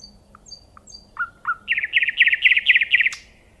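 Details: Nightingale in song: a few soft isolated piping notes, two low rising whistles, then a loud fast series of repeated chirping trills, ending with a sharp click.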